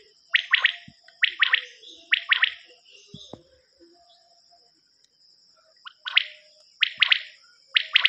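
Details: Quail cassette recording of a common quail: sharp triple-note calls repeated about once a second, a quiet pause in the middle, then the calls resume, over a steady high-pitched hiss.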